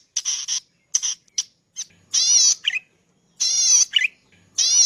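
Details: Zitting cisticola used as a training master song: short scratchy bursts and chips, then long wavering buzzy notes alternating with low nasal slurred calls, spaced roughly a second apart with clean silence between.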